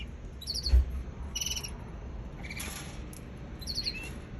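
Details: Young canary calling in four short bouts of fast, high, buzzy pulsed chirps spaced about a second apart, with one lower whistled note among them, against a muffled low background rumble and a single soft thump.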